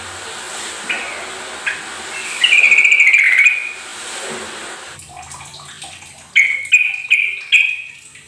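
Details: Sooty-headed bulbul singing, played to coax a quiet bird into song: a few isolated chirps, a rich rolling warble midway, then a clattery pause and three or four bright, bubbly whistled phrases near the end, over steady hiss.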